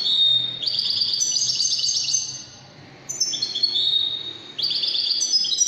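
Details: European goldfinch song, Widani style, Algeria: loud, dense twittering with layered high trills, a softer gap, then two more quick jingling phrases in succession.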